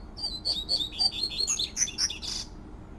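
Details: Rusty-collared seedeater in nature, giving the fluty "tui tui" song: quick clear whistles sliding slightly downward, then a rising flourish of sharper, higher notes ending in a short buzzy burst.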